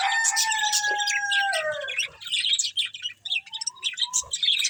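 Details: Budgerigars feeding on green food: a long falling whistle at first, then rapid chattering, scratchy high chirps and a short rising whistle as several birds call at once.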